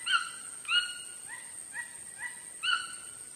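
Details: Chachalaca calls in a loose series: louder slurred harmonic notes at the start and end, with softer, shorter, higher notes between, roughly one and a half per second, over constant high-pitched hiss.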